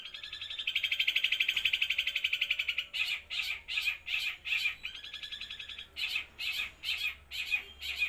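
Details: Long-tailed shrike, eight months old, from Jember in East Java, copies gereja, kuntilanak and tengkek buto in a continuous run. A long, even, buzzing trill breaks into a series of rasping notes, then a shorter trill and more rasps.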